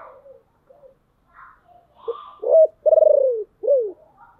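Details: Caged decoy spotted dove cooing to lure wild birds, its voice deep and husky: faint murmurs, then a short note, a strong hoot, a long vibrating pulsed coo that slides down, and a drooping closing note.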